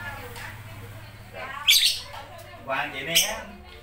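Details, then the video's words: Shrill lovebird squawks, one then a quick pair, cutting through a low hum and background voices. "love bird"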